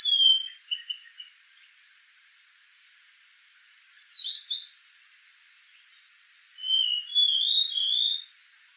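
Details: Male White-tailed Flycatcher in submontane forest in Malaysia, July 2024: short sweet whistled phrases of high, slightly wavering notes, given in three bursts separated by pauses of a few seconds, over a quiet background.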